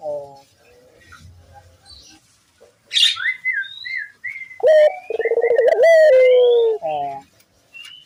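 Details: Barbary dove calling eagerly as a lure for other doves: a soft low murmur, then high thin whistles of other birds, then a loud pulsed trill flowing into a long coo descending gradually.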